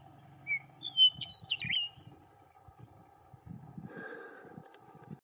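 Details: On 14 July 2019, a meadowlark that has just had a shower sings one quick phrase of clear, fluting whistles that slur up and then tumble down, over a steady low hum and faint rumble.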